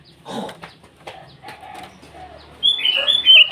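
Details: Sooty-headed bulbul singing in the morning to call rivals: after scattered lower chirps and rustling, a loud bubbly phrase of quick high warbled notes bursts in at the end.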